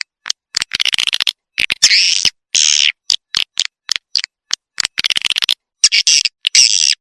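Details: Swiftlet attraction call: rapid clicking runs mixed with longer hoarse, buzzy twitters, irregular in rhythm.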